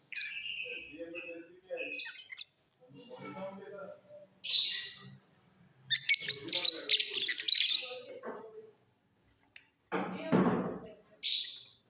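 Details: Caged mutation lovebirds in a flight cage singing in the off season: shrill, rasping chirp bursts, a dense chattering run around the middle, and scattered softer low twitters between louder squeaky phrases.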